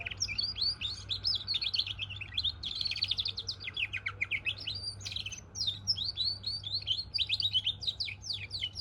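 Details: Goldfinch × canary hybrid singing a fast, varied warble of twittering, buzzy and trilled notes high in pitch, continuous over nearly nine seconds, with a steady low hum underneath.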